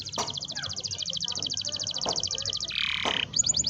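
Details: Canary rolling song used to encourage young canaries to sing; a steady rapid high trill runs throughout, briefly interrupted by a harsh buzzy burst, over low background noise and a few clicks.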